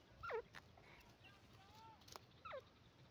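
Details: Female grey francolin giving two clear, sharp descending notes about two seconds apart, with a soft drawn-out whistle and faint clicks between them against low background noise.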